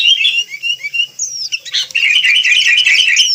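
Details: Wild sooty-headed bulbuls in lively chorus: a run of short, bright whistled notes, then a denser burst of overlapping bubbly chirps and chatter.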